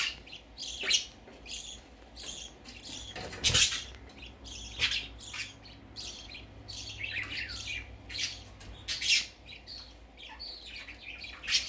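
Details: Baby parakeet venturing out for the first time, producing scattered sharp squawks and thin chirps with uneven spacing and one loud broadband burst near the middle, indoors.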